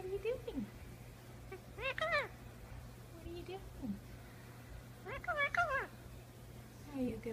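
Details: Talking Indian ringneck parakeet with an umbrella cockatoo in the background, uttering phrases of arched, nasal, speech-like syllables in bursts every two to three seconds, with softer falling notes between.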